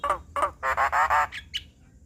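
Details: Black-winged starling singing for training young wild-caught birds: two rough notes, three long harsh nasal squawks, then two brief higher whistled calls.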